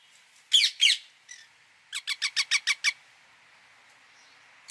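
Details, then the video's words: Indian ringneck parakeet: two loud harsh screeches, then a rapid series of seven short shrill chattering notes, followed by quiet background. "parrot sound | ringneck"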